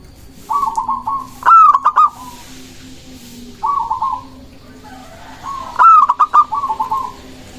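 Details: Local zebra dove song used to lure doves and provoke rivals into answering. Soft, rolling phrases of rapid even notes alternate with two loud phrases of a sharp rising note and quick clipped notes, about four seconds apart.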